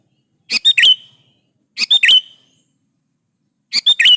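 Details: Kutilang, or sooty-headed bulbul, in full gacor song to make other bulbuls respond; three rich phrases of three to four fast chirps with a bright slurred finish, about 1.3 seconds apart.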